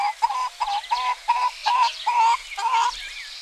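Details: Domestic chickens clucking on a spring morning in a Greek village: a run of about eight short, nasal, even-pitched clucks, each roughly a third of a second long, coming in quick succession, with faint chirping from small birds behind.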